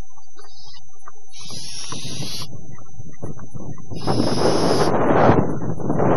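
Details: Nearly fledged barn owl owlets on a quiet dawn following a wet, windy night in early October 2015: two rasping hiss bursts separated by low shuffling noises, ending in a louder rough scramble.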